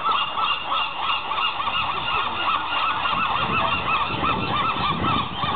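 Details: A colony of gulls at a ruined building on Alcatraz island calls non-stop, many harsh, honking cries overlapping several times a second in a dense, squabbling chorus.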